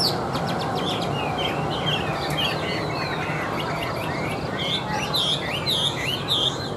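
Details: Chinese hwamei, a tame captive bird singing from a hand-held perch, gives loud, varied whistled phrases with rising and falling slurs and quick trills, over a steady broadband background hum.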